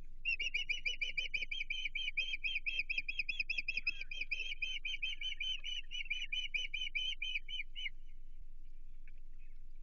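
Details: Osprey at its Chesapeake nest on 15 June 2023, calling at an intruder: a rapid run of sharp, whistled chirps, about three per second, lasting some eight seconds before stopping, over a steady low hum.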